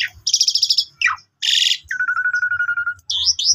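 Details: Young Asian pied starlings singing as a lure for other starlings: a buzzy pulsed burst, a falling whistle, a harsh rasp, then a long level trill of rapid beats.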